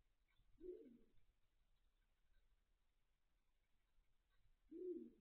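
A great grey owl gives two soft, low, muffled hoots about four seconds apart, with faint background rumble between them.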